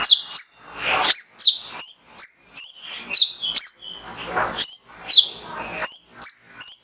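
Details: Male mangrove whistler singing to spur caged birds into song: a continuous chain of high, sharp whistled notes, some sliding down and some rising, with faint background rustling.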